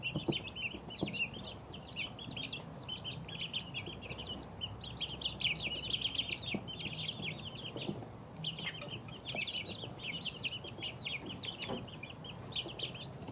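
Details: Chicken chicks aged two weeks peeping almost nonstop, overlapping high chirps that briefly thin out near the middle before picking up again, faint scratching sounds.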